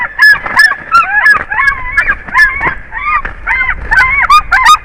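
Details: White-tailed eagle (Haliaeetus albicilla) at a nest in a pine in Durbe county, Kurzeme, Latvia, apparently the angry female during an unsuccessful mating attempt in the air, gives a fast, yelping series of harsh, arched notes, about three per second, in a loud, agitated chatter.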